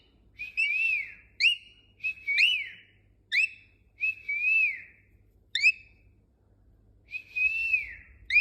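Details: Caged pet cockatiel in whistle training repeats a learned phrase: drawn-out wavy whistled tones broken by brisk rising chirps, about eight notes over several seconds, indoors and otherwise quiet.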